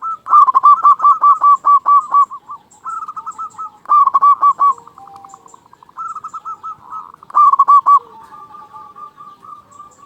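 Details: Loud local zebra dove, a frequent singer with a big voice, used as a lure to make other doves call. Its bubbling, stuttered coos come in quick bursts of rapid notes. Softer trailing coos fill the gaps between phrases.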